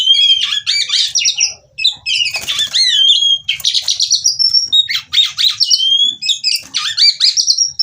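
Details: Female white-rumped shama singing as therapy for other shamas: repeated bursts of harsh chirps and clear slurred whistles, phrases of about one second with brief gaps.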